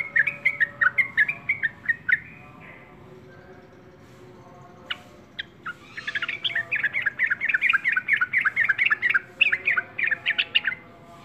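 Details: Yellow-vented bulbul singing eagerly: a burst of bubbly warbled notes, a quiet pause of about two seconds, a few sharp clicks, then a longer run of fast, jumbled, chattering phrases.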